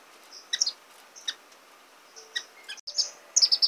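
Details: Feeding of Orange-cheeked waxbill chicks: sparse high thin notes and sharp ticks, building to a fast run of piercing begging squeaks at the end.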